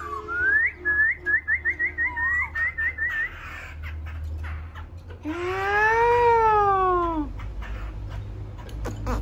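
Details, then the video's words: Newly wild-caught laughingthrush delivers a fast string of rising whistled notes, then a long, rich, arching nasal call full of overtones that swells and fades over two seconds. "khướu bổi hót"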